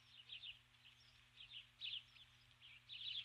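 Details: At dusk on 21 July 2015, a female osprey stands on the nest calling for her absent mate: bursts of sharp, high chirps come in uneven clusters roughly every half second, with a low constant hum beneath.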